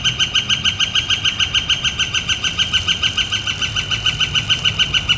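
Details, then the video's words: Northern flicker calling in spring, on a warm, clear-skied April 28, 2014: a long, steady series of sharp, loud kek notes, about three per second and evenly spaced, running without a break over a low background rumble. "Northern Flicker Calling and Drumming"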